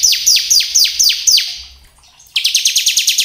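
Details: Bar-winged prinia song played to lure birds into singing: slower high descending notes around four per second, then a faster, tighter train of sharp chips after a short gap.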